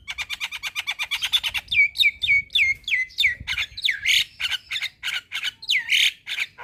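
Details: Javan myna song: a rapid rattle of clipped notes, then repeated downslurred whistles about three per second, followed by loud harsh squawks.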